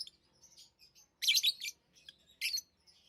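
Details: Sharp, dense bursts of high chirping from tame pet lovebirds: two loud clusters over soft, thin twitters, in an otherwise quiet setting.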